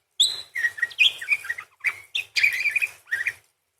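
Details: A parakeet rattles off a dense warbled phrase of squeaky, slurred whistles and buzzy chatter, one flat whistle drawn out near the start and dipping twitters after it.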